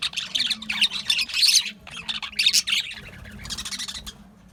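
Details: Budgerigars chirping: loud scratchy warbled bursts roughly once a second, then the chatter thins and fades toward the end.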